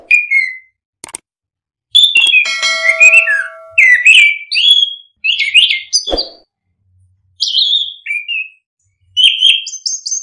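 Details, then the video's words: Rich, continuous orange-headed thrush singing, played to coax quiet birds into song: a long run of bright, jumpy whistled phrases with trills and slurred notes, broken by short pauses and one sharp tap. "Pancingan anis kembang biar ngeplong, solusi burung malas bunyi"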